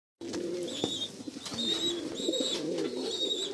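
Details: Kept Jambu pigeon giving low, rolling coos that run almost continuously, with thin high whistled notes repeating several times from other birds nearby.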